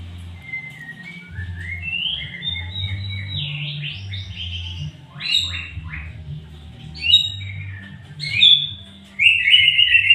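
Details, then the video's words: White-rumped shama singing, played to make shamas sing diligently: varied high whistles, slurred and rising phrases with sharp bursts, over steady low rhythmic music. "biar murai rajin bunyi"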